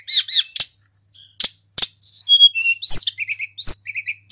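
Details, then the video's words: Local Sunda robin singing to provoke other birds: two downward-curving chirps, scattered clicks, a descending series of clear whistles, then sharp upswept notes and paired lower phrases. "SUARA TLEDEKAN GUNUNG FULL GACOR"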